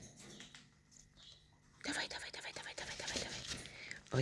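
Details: A hungry baby cockatiel at morning syringe-feeding time gives raspy, hissing begging calls in quick rhythmic bursts after a quiet start, with faint room noise.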